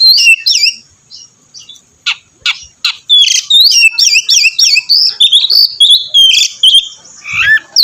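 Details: Oriental magpie-robin singing to prompt another: a few whistles and sharp clicks, then a dense, fast run of twisting high whistled notes.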